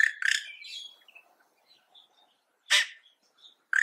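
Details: Yellow-rumped cacique calling with brisk, harsh notes: a quick cluster of loud clipped sounds, faint thin whistles in a pause, then a single explosive broadband note and one more sharp note at the end.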